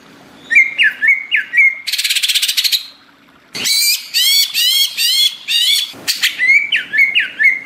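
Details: Vigorous greater green leafbird song, tropical forest: hooked whistles, a long buzzy rattle, then a loud string of harsh chattering notes rich in overtones, finishing with clear repeated whistles; steady faint hum throughout.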